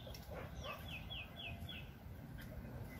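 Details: Red-whiskered bulbul at a 2020 trapping setup using a decoy bird, giving a quick run of five clear, downward-sliding whistled notes, followed by quiet background hum.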